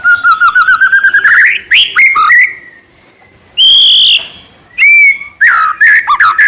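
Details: Murai batu, the White-rumped shama, singing trotol style: a fast string of repeated rising whistles speeding up, then sharp slurred notes, a quiet gap, and bright drawn-out whistles at the end.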